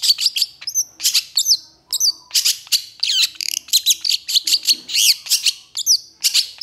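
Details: Energetic long-tailed shrike song offered to spur a reluctant singer: dense run of sharp chirps, quick downslurred whistles and scratchy notes, nearly continuous and high-pitched, with brief gaps between fast clusters.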